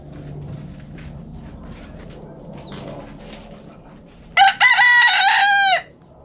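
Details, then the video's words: Backyard rooster crows among hens playing in the dirt: a loud, harsh, harmonic-rich cock-a-doodle-doo lasting over a second near the end, after quieter scattered clucks, scratching and faint bird chirps over low hum. "Chicken Noise Sound Roosters Crowing Hens Clucking!"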